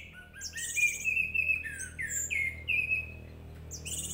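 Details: Orange-headed thrush lure song, meant to agitate a thrush and prompt it to sing: clear slurred whistles mixed with harsh, buzzy high notes in quick, varied phrases over a steady low hum.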